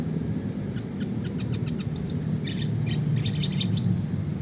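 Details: Red siskin singing in the classic rolling style for songbird training: a run of evenly spaced high, thin notes, then fuzzy, buzzy bursts and a short sustained high note, with a low rumbling background.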